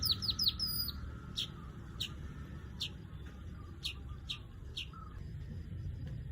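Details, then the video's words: Weaver calling: sharp, high downslurred chirps, a quick cluster at the start and then single notes spaced roughly every half second, over a low background rumble. "Crecet .. Cret ..!! SUARA PANGGILAN BURUNG MANYAR"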